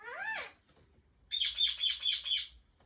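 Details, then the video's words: A pet African ringneck parrot (rose-ringed parakeet) talks: a clear, rising-then-falling whistled note, a pause, then a quick run of about five high, raspy, speech-like syllables. "Talking African Ringneck Parrot"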